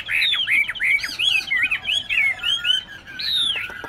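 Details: A tame captive Chinese hwamei in Tân Túc, Bình Chánh, Ho Chi Minh City, with a twisted hind claw, sings a loud, rich run of varied whistled phrases, slurred up and down and delivered almost without pause.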